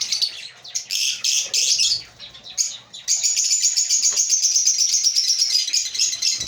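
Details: African lovebirds in a breeding colony, dense high chirping and twittering chatter from several birds, bursts at first, then a continuous rapid trill of chirps for the last three seconds.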